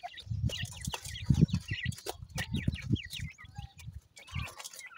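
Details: Grey francolin chicks, named as grey partridge or teetar, give rapid high peeping chirps. The short rising and falling notes come in quick runs over dull, repeated low thumps.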